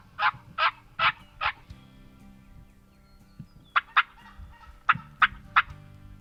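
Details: Wild Turkey on a spring hunting morning, toms and jakes nearby: four strong hoarse notes, a quiet gap with low rumbling, then a looser run of five shorter, sharper notes.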